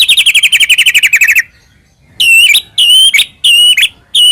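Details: Lure song of a white-rumped shama of the Medan type, full of fill phrases, meant to make another shama sing: a rapid even trill of about twenty notes, a pause, then four loud whistled notes with sharp downward ends.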